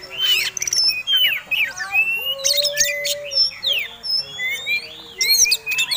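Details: Oriental magpie-robin singing a persistent fighting lure song: varied whistled phrases, rising and falling slurs and sharp clicks, with a lower steady whistle near the middle.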